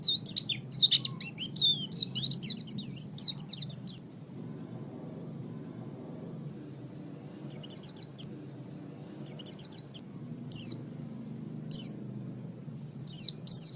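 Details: Oriental white-eye song for training songbirds: an energetic high jumble of twittering, swooping whistles for four seconds, then scattered faint notes and brief louder bursts near the end, over low steady background noise.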